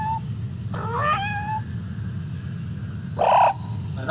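A superb lyrebird mimics a cat, giving a wavering, meow-like wail and then a short, harsher yowl over a steady low rumble.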